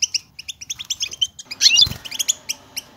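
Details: European goldfinch song in the local style called batbata, played to stir silent goldfinches into singing: rapid bright twittering notes repeated in quick bursts, with a louder tangled flurry and a brief low thump near the middle.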